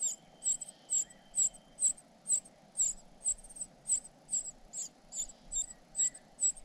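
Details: Cuckoo chick looked after by foster parents, calling insistently with high, piercing squeaks repeated about twice a second in a steady series over a faint hum.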